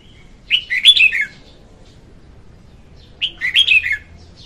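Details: Female red-whiskered bulbul singing, a recording used to lure birds for trapping: two short warbled phrases about three seconds apart, each a quick run of bright, slurred whistles rising and falling, with a quiet background.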